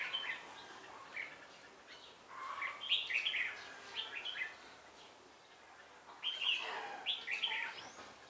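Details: Red-whiskered bulbul used as a decoy while trapping at Ba Thá, 17 December 2016, noted as quick-beaked with a shifting voice: bursts of bright, warbled, slurred phrases in two clusters separated by quieter pauses, over faint background hiss.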